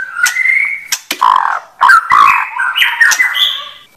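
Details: A white-rumped shama gives long sustained whistled notes that slide and waver, broken by sharp clicks and short squawky notes, with a climbing whistle near the end.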